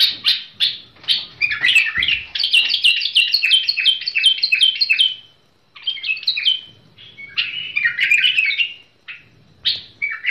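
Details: Song of a tamed bulbul. Scattered opening notes build into a rapid, rolling chatter of falling notes, then break into shorter bubbly phrases separated by brief silences.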